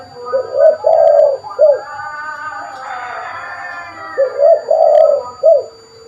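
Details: Lively spotted dove used for luring birds, repeating its soft low cooing phrase twice: each a short note, a longer drawn-out coo, then a clipped final note. A faint higher hum and murmur fill the gap between phrases.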